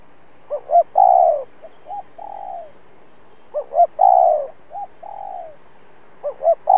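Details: A spotted dove decoy coos to lure and challenge wild rivals for trapping. A pair of short low notes leads into a long, falling hoot, then lighter trailing coos follow, in a cycle that repeats three times.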